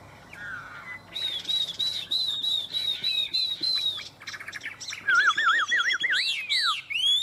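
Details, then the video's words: Chinese hwamei kept in Vietnam delivering a steady string of clear, level whistled notes repeated several times a second, then switching to wavering, warbled whistles that swoop up and down. "Họa mi đẹp hót hay"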